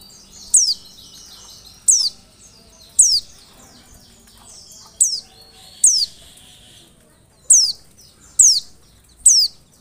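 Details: Very high, thin, downslurred notes from an Oriental white-eye, used as a lure. Eight notes come at irregular intervals of about one to one and a half seconds, with faint twittering between some of them.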